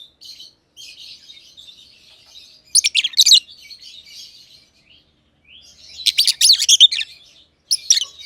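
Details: Pair of caged personata lovebirds, green and green pied, chirping in an aviary; soft rapid twittering chatter runs throughout, broken by two loud harsh bursts of shrill chirps.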